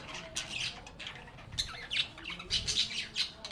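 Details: Budgies singing and chatting happily together. Rapid scratchy warbles and clicky chirps come in bursts, several peaking in the final second.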